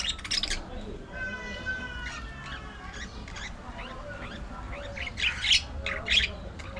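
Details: Pet budgerigars interacting, with a long thin whistled tone, wavering chirps and sharp squeaks, then two loud harsh squawks near the end, all over a faint background hum.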